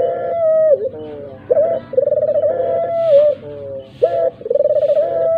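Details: Lure recording of a dove meant to make other doves, even mute ones, call back: sustained, fluttering coos opened by quick swooping notes, phrases coming roughly every two and a half seconds.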